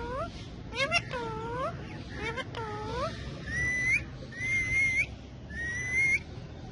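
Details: Pet parrots dancing and talking while perched on a bike, four birds in all; arched nasal speech-like calls come first, then three clear rising whistles about a second apart over a faint hum.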